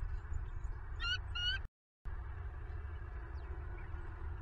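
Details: Bald eagle at a southwest Florida nest cam at night, 25 November 2022: two short, high squealing notes close together, followed by a brief gap in sound and continued low wind-like rumble.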